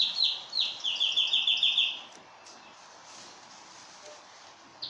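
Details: Canary singing for mating: about two seconds of bright, rapidly repeated whistled notes, stepping slightly lower, then quiet background hiss with one final chirp.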